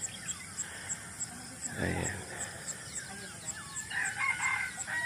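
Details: Countryside rooster crowing at 5 a.m.; one rasping harmonic crow comes late, set against constant small-bird twitters and insect ticking, plus a brief spoken greeting.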